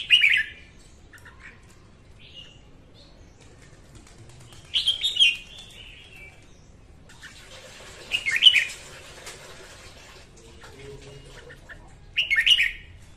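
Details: Female red-whiskered bulbul morning song, used as a lure for trapping and to train captive birds; four short bright warbled bursts spread over thirteen seconds, separated by quiet pauses, with a hiss of background noise midway.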